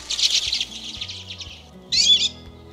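Common Redpoll giving dry, buzzy twittering calls high in pitch, a rapid burst followed by a shorter one after a brief pause.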